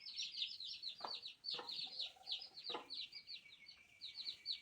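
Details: Newborn chicken chicks peeping: a high, thin stream of rapid descending cheeps from several chicks, overlapping continuously, with a few soft low clucks or knocks mixed in.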